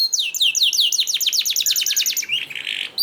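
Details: Canary singing a rapid series of descending sweeping notes that speed into a trill, ending in a harsh buzzy passage; song used to get other canaries singing quickly.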